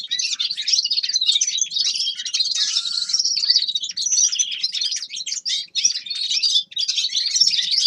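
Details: Grey-crowned goldfinch singing a busy, high-pitched run of twittering chirps and buzzy trills that flows almost without pause, with one longer rasping note in the middle.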